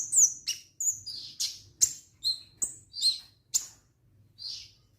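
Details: Orange-headed thrush in full song, delivering separate high whistled and chipping notes about every half second, some sliding downward, with a softer trailing note at the end.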